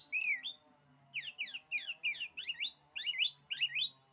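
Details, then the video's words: Oriental magpie-robin singing, its song said to intimidate other magpie-robins: one slurred whistle followed by a rapid continuous string of scratchy sweeping notes and rising whistles over a faint low hum. "kicauan kacer ini, bikin nyali kacer lain jadi ciut."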